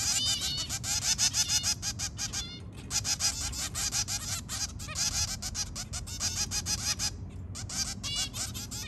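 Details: A zebra finch family, two adults with three babies, calls in the early morning: a busy chorus of nasal, toy-trumpet beeps, several per second and overlapping, over a faint low background rumble.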